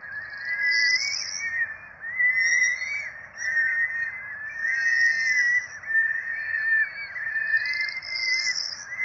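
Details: Four peregrine falcon nestlings at a nest in Rome, 12 April 2024, begging during a feeding. A near-continuous chorus of overlapping, wavering whines with shrill squeaky notes on top, swelling and fading in several waves.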